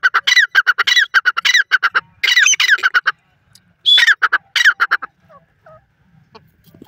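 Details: Dakhni teetar, the grey francolin, giving a loud series of harsh, ringing notes in quick rhythmic bursts, a brief pause, then two shorter bursts before fading into faint soft notes and near silence.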